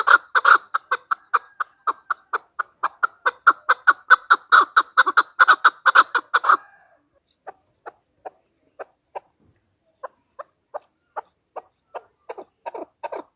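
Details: Female chukar call used to lure birds for hunting: a loud, fast run of harsh chuk notes for six seconds, then a sudden break and a slower, softer sequence of single clucks spaced about half a second apart.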